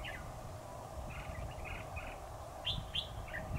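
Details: A red-whiskered bulbul is being trapped, recorded 7 October 2019. A few soft, slurred chirps come first, then two louder, sharp whistled notes and a brief trailing phrase, heard over a low steady hum.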